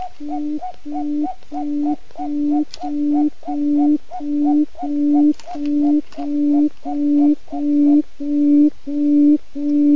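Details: Quail, male and female calling each other, used as a trapping lure; clean repeated two-part notes, a steady tone with higher overtone, about ninety per minute in a very regular rhythm, no background noise.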